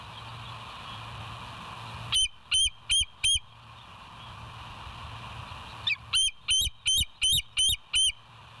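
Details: Bald eagle at the West End nest, live cam, 07/09/2023, 06:24, giving four high squeaky piping notes, a few seconds of background hiss, then a brisk series of about seven more evenly spaced squeals.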